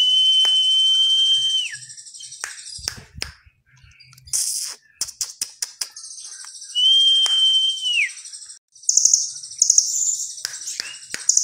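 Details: Velvet-fronted nuthatch song, with fill-in phrases said to resemble the cililin. Two long level whistles drop sharply at their ends, separated by clicks and rapid twittering, then dense high chatter.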